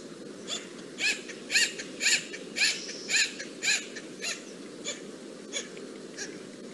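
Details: Acorn Woodpecker from the oak woodlands of Santa Clara County Parks, giving funny quack-like, squeaky-toy calls. Bright, harmonic notes repeat about twice a second and thin out and weaken toward the end, over a steady low background hiss.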